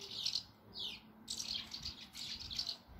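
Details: Many swallows fluttering around a single nest with chicks in Bulgaria, possibly teaching the young to fly: a rapid series of high, thin chirps and twittering notes, some with downward sweeps, overlapping from several birds.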